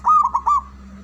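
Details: Male zebra dove giving a single brief burst of four soft, hollow coos in rapid succession.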